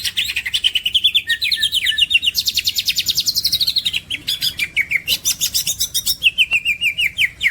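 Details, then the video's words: Green leafbird, championship-grade masteran singer, delivers a continuous varied song: descending chirp series, long high rattling trills, then sliding whistles and quick clipped notes that repeat in rhythm. "this green cucak bird is a super luxurious suwara"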